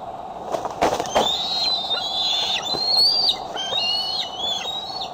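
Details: Eagle at the Decorah nest cam, eaglet with a tender foot returning home to the nest, evening of July 4, 2011, 8:39 pm CDT; high, thin whistled calls in chittering series with slurred falling notes, after a few sharp knocks, over a steady hum.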